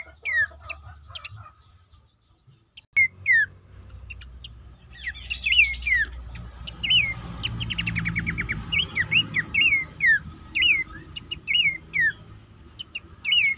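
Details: Horsfield's babbler song used as a training recording for caged birds: after a quiet start with low rumble, short whistled slurred notes repeat roughly once a second, some interspersed with quick rattling trills.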